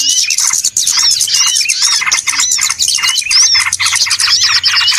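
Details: Trapping-lure sound of many small birds: steady, thick twittering with repeated arched whistled notes, almost no breaks in the high-pitched chatter.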